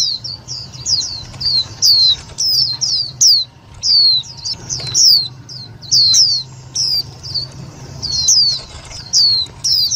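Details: Lure calls of Indian white-eye for trapping and exciting other white-eyes, loud and clear: continuous run of high, thin, downward-slurred chirps repeated rapidly over ten seconds, faint low hum beneath.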